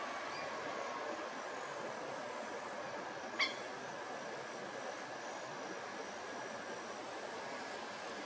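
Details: Even outdoor hiss with a single sharp click midway and no clear animal call.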